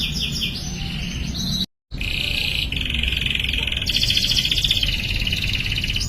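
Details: Canary singing meant to get young canaries singing: softer trills and a sustained buzzy rolled note, with a brief dropout to silence early on and a steady low background rumble throughout.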